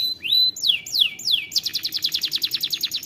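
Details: Singing canary delivers a short whistle, three loud descending swooping notes, then a long even trill of quick repeated chips at a fast steady rhythm, with faint low background noise.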